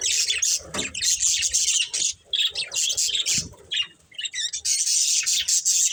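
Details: Budgies of a breeding pair giving rapid high chirps, warbles and squawky notes in an almost unbroken stream, with a short quiet break near the end.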